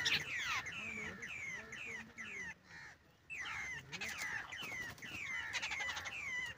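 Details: Babblers at a bird-hunting net trap give harsh, nasal, downward-sliding notes, repeated rapidly and overlapping in a noisy chatter. Low human speech sounds underneath, with a brief quiet gap midway.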